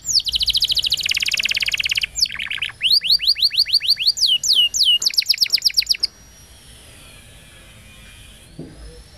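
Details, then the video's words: Tutor song of a canary for youngsters and quiet birds: an opening harsh rolling trill, then bright downward-sweeping whistles repeated several times a second, ending in a thin sustained note and near silence. "Kenari Gacor Panjang !! Masteran Burung Kenari PAUD dan Pancingan Kenari MACET BUNYI"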